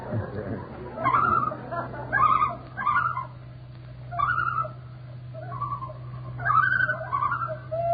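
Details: Loon recording credited to Cornell University's zoology department, broadcast in a 1939 radio quiz: a series of wavering, tremulous notes in bursts about once a second, over the steady hum of an old broadcast.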